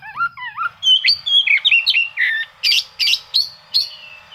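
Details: Oriental magpie-robin singing as if seeking rivals, a song used to provoke reluctant birds into singing: rapid varied whistles, wavering slurred notes, then sharp buzzy chattering phrases in quick succession.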